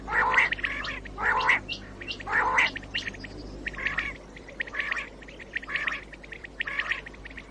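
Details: Common quail call, a lure recording for morning hunting: three loud, harsh bursts roughly a second apart, then softer repeated calls as the sound fades, with quieter ticking notes throughout.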